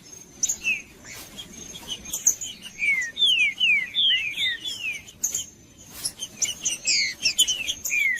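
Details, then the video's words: Male green-winged saltator singing in a heated, aggressive state to warm up and provoke another male: clear whistled, down-slurred notes in quick phrases, with a steady high thin tone running behind them. "Trinca-ferro Macheando com Trinca ferro cantando Para Esquentar"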